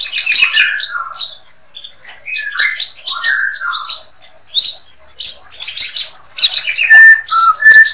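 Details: White-rumped shama master song, used for training other songbirds. Loud, varied whistled phrases mixing high chirps, falling slurred notes and rich mid-pitched whistles, delivered in quick bursts separated by short pauses.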